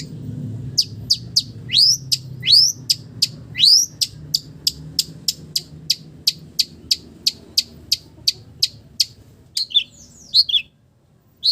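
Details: Long-tailed shrike singing with mimicked village-bird phrases. Sharp, downslurred notes come steadily, about two per second, with a few rising whistles mixed in and a twittery flourish near the end.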